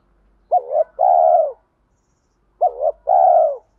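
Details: Lure spotted dove singing in a mixed 'thổ' and 'thúc' voice to goad wild doves into fighting and pull them in quickly. Two phrases two seconds apart, each a short wavering double note followed by one sustained mellow coo.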